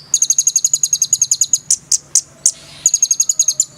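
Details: Konin, a sunbird, in a lively full song with rich phrases: fast runs of very high, sharp ticking notes, broken by a few louder single chips, then another quick series. A low steady hum sits underneath.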